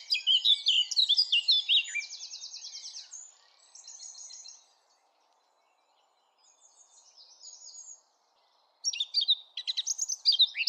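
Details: Eurasian blackcap in a sunny park: a quick burst of varied warbling gives way to an even rattling trill and softer notes, then a pause, then another rich scratchy warble starts.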